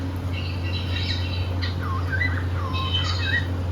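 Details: Happy cockatiel singing during play: a busy burst of bright chirps and warbles, some swooping down then up, rich in overtones, delivered quickly over a low mains hum.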